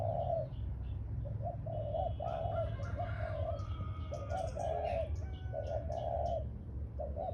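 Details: Ground decoy spotted dove cooing in repeated mellow two- and three-note phrases, with faint high chirps of other birds in the middle and a constant low rumbling background.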